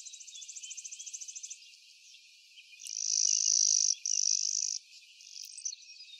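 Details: Clay-colored sparrow (Spizella pallida) on 12 May 2023, McGill Road, Blackman Township, Jackson County, Michigan: a quick, high ticking series, then two flat, insect-like buzzes about a second long, very high-pitched and even.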